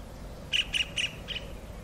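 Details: Kingfisher calling its mate: four sharp, high squeaky notes in quick succession over a quiet, low background hum.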